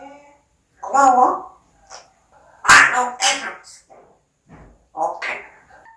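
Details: Parrot talking in a room: scattered speech-like syllables, including a murmured phrase, sharp breathy bursts and a final short voiced word.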